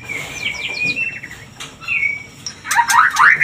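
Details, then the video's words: White-rumped shama lure song to stimulate mating: a series of fluty whistled notes steps along evenly, then turns into a rapid scratchy trill of bright notes at the end. "Suara pancingan murai agar Birahi Kawin"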